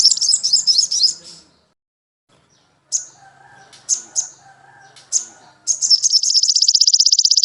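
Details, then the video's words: Sogon song recorded for training caged birds: high chirping bursts, several short sharp calls separated by gaps with faint background voices, then a rapid high even trill at the end. "MASTERAN WAJIB BURUNG SOGON CEPAT GACOR"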